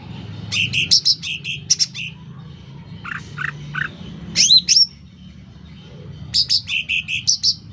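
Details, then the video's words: Loud, lively song of a sooty-headed bulbul: bright two-pitched note phrases, a few lower, harsher notes in the middle, then sharp rising whistles and a final quick phrase of piping notes. "Suara Cucak Ranting Gacor Volume Keras"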